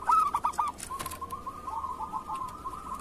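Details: ['Zebra dove, a local bird, singing as master material for moulting or quiet doves. Four quick, loud cooing notes start the song, then a long, even, rippling trill follows. Faint clicks are heard in the background.']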